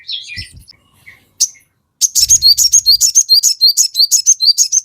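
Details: Crested jay: a few scattered chirps and a faint thump, then a steady rapid string of high, paired staccato notes, around three to four each second.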